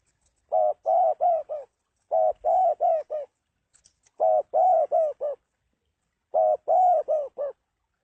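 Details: Spotted dove calling steadily, four phrases of five low, rounded coos, the last note of each shorter, spaced about two seconds apart against near silence.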